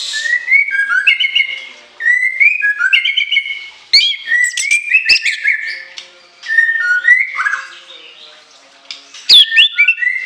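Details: Long, varied orange-headed thrush song of shrill whistles and long fill-in phrases: clear whistled notes step up and down in rapid strings, with short pauses between runs.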